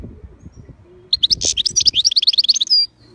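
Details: European goldfinch delivering one quick burst of bright, high twittering notes, about 1.7 seconds of rapid liquid chirps and trills ending in a short thin buzz, after soft low background rumbling.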